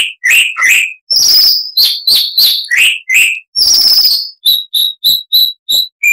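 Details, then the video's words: Harsh, varied song of a chalk-browed mockingbird, recorded to tutor cage birds: rasping and chattering phrases and hoarse swept notes, ending in a run of short, clear, evenly spaced chips. "Masteran Burung Luar Negeri Suara Kasar - Chalk-browed Mockingbird (Mimus saturnin)"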